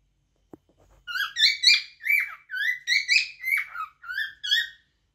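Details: A faint tap, then a cockatiel whistles about ten harmonic notes in an even rhythm. Slurred upward and downward notes close with a falling one.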